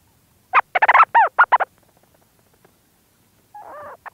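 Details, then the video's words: Close recording of a Leach's storm petrel in its burrow giving a rapid stuttering series of raspy notes, some bent and swooping, followed by quiet and then a brief softer burr near the end. "Leach's Storm Petrel. CU Calls From Bird In Burrow And Movement Sounds."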